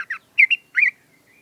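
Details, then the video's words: Sooty-headed bulbul (trucuk) singing during morning sunning after dew exposure: quick run of rich, bubbly, slightly burry notes in close succession, ending in a thin sustained whistle, with no other clear sounds around. "BURUNG TRUCUK NGEWERRR"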